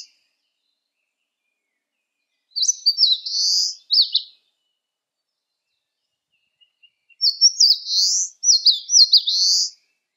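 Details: Eastern crowned warbler singing on a sunny day at 19°C: two high, slurred phrases of quick, sharply inflected notes ending in a buzzy flourish, each about a second and a half, separated by several seconds of quiet.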